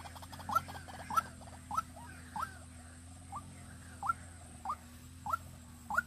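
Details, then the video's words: Decoy White-breasted waterhen from Vĩnh Long, Vietnam, used for luring: a series of quick upward-flicking notes, roughly every 0.6 seconds, briefly pausing midway, with faint extra notes and a background drone. "Đam Mê Quốc Mồi Vĩnh Long"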